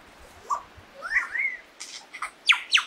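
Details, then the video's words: Lyrebird song mixing a soft low note, two smooth rising-and-falling whistles, then a series of sharp, crisp downward strokes growing louder toward the end. "Lyrebird's song"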